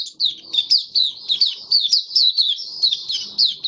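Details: Kept white-eye in full song on 23 March 2022, fed for warm humid weather: a steady stream of sharp, high, downward-flicking chirps, about four per second, bright and even.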